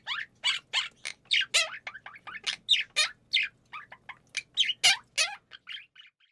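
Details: Pet monk parakeet kept indoors, imitating budgerigar sounds, caught by chance during broadcast preparation: a rapid series of chirps, squeaky warbles and short rising-falling whistles, about three per second, with a faint low hum behind.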